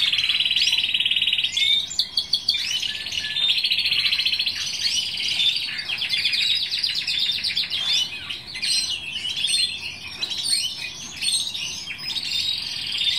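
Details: Timbrado canary, number 269, hatched 2015, sings a long, unbroken run of high, metallic rolling trills and chattering phrases, changing tempo without pause; no other sounds intrude.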